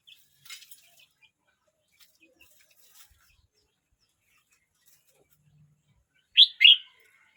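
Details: Red-whiskered bulbul, 12 months 29 days old: quiet rustling and faint clicks, then near the end a sharp two-note warbled phrase rings out loudly.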